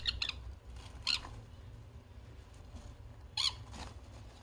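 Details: Pet sun conure giving a few short, harsh squawks, a quick double burst at the start, another near one second and a louder one past three seconds, with quiet room hum between.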